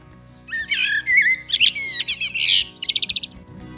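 A rich, fluty blackbird phrase: low mellow warbles rising into squeaky, chattering notes and ending in a rapid high twitter, over a faint low hum.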